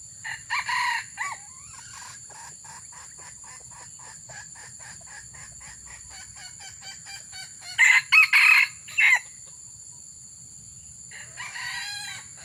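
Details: Red junglefowl heard while luring wild junglefowl: a short rasping crow opens, a long run of rapid dry ticking follows, then a louder segmented crow of four harsh bursts, and a faint final call, with a constant high-pitched insect whine throughout.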